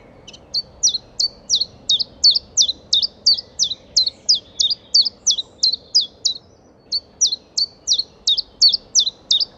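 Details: Common chiffchaff singing in the Baie d'Audierne, Finistère, Brittany, France, between late April and early May 2022: a steady series of high, sharp, two-toned notes, about three per second, with one brief pause before the series resumes.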